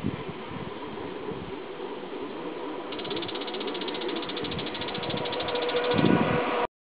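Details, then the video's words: Bull-headed shrike calling in a rapid, evenly spaced series of sharp, high notes for about three and a half seconds, over a constant low rumble, with a short knock near the end. "モズ Bull-headed Shrike"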